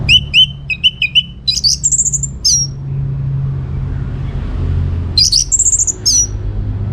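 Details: Orange-headed thrush song played as a lure to make other birds answer: repeated short whistled notes followed by bright high phrases with sharp slurred notes, a steady low hum underneath.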